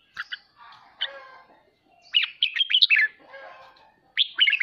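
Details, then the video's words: Bulbul song in the ché style, red-whiskered, used to coax home birds into singing: a few scattered chips over soft background warbling, then a rapid tumbling phrase of whistles and a final bright burst. "Chào mào khích ché cực hay /kích chim nhà tập ché"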